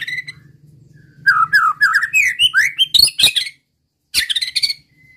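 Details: Provocative song of a white-rumped shama, meant to make opposing males angry and sing: rising slurred whistles in quick succession, loud sharp clicks, then a short buzzy burst, with a low background hum.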